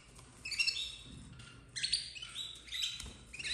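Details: Red frosted domestic canary chicks in a 2024 breeding setup giving shrill, wavering chirps in two or three quick bursts, with a soft low knock near the end.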